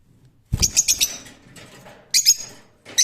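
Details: Rose-ringed parakeet giving a fast stuttering run of harsh squawks beginning with a thump, then a noisy scratchy stretch, then another short burst of shrill calls.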